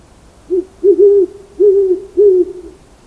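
An owl gives a series of five low, hollow hoots, the first brief and the rest longer and slightly wavering, spaced about half a second apart.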